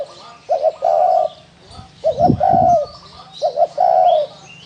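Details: Spotted dove cooing in the Vietnamese style called thổ đồng gù: a phrase of two short stuttered notes followed by a long, even, mellow coo, repeated three times, with a soft low thump in the middle.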